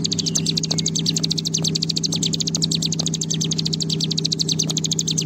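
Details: Bar-winged prinia singing in the long 'ngebren' style: a fast, unbroken run of high, sharp notes repeated steadily throughout, over a constant low hum and faint ticking.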